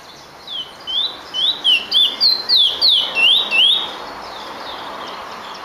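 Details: Finch in song, a bird kept for its singing: after a quiet start, about ten sharp whistled notes follow quickly, each sweeping up or down, over a steady low background hiss.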